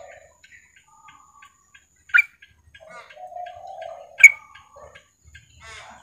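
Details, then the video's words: Female yellow-vented bulbul calling to a male: scattered soft chirps with two sharp, bright call notes about two seconds apart, over a low hollow tonal hum. "trucukan betina memanggil jantan"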